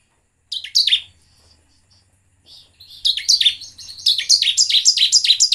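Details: Lure song of a bar-winged prinia meant to set other birds singing: a brief burst of high chirps, a quiet gap, then a long, accelerating run of bright, buzzy downslurred notes repeated several times a second.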